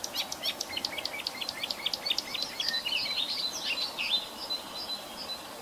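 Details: Sedge warbler song, varied style: a run of sharp descending chip notes repeated rapidly, then a jumbled scratchy warble with thin whistles, against steady hiss.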